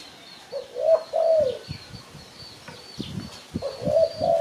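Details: Spotted dove sound used as a lure for catching birds: two mellow cooing phrases, each a short note followed by a longer, slightly falling coo, with a low thumping background and faint high chirps from other birds.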